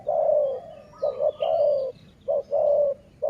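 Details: Decoy dove of the sai muang line giving a long coo, then two more phrases of short double notes and drawn-out falling coos, a faint higher chirp audible in the background.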